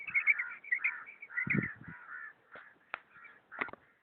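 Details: A female common quail (Coturnix coturnix) calls with harsh, rasping kirr notes in uneven bursts, about two per second, with a few low thumps underneath.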